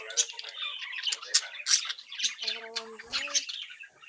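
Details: Several young budgerigars from a home brood tweet and warble, mixing rapid scratchy chatter, sharp squeaks and a short nasal, harmonic tone in the middle.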